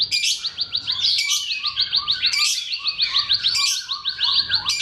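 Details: Bar-winged prinia, locally ciblek, heard in song variations intended to stimulate silent birds: a dense, rapid trill of high, sharp notes in continuous phrases, punctuated by short louder bursts roughly every second.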